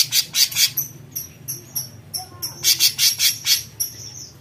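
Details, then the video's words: Cucak cungkok bulbul mixing short harsh besetan bursts with high, thin whistled notes, delivered in a quick, uneven sequence. "Besetan Cucak Cungkok Gacor"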